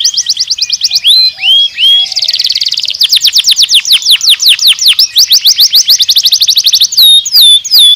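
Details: Canary singing a long-running song: fast trills of high repeated notes, a few buzzy rolls, and clear upslurred whistles, rhythmic pulses roughly three per second in places, loud and close with no other sounds.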